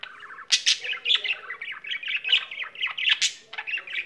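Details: Pet budgerigar in full song, mixing harsh squawky bursts with fast chirped and whistled notes in a steady stream, loud accents around 0.6, 1.1 and 3.2 seconds.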